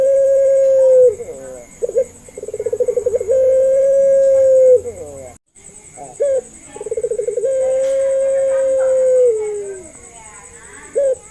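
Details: Repeated lure calls of a puter pelung dove: each opens with a short rising note and a fast rolling trill, then stretches into a long, even, gently falling coo; two calls and the start of a third.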